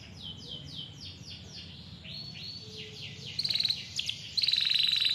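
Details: Canary singing clearly, meant to coax young or quiet canaries to sing: a series of sweeping downslurred whistles, then a rising note, then bright rapid trills that grow louder, over a steady low background hum.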